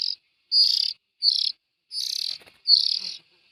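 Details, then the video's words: Four loud, grating, buzzy rasps from young bulbuls, each under half a second, with short silent gaps between them. "Tiếng chim chèo non"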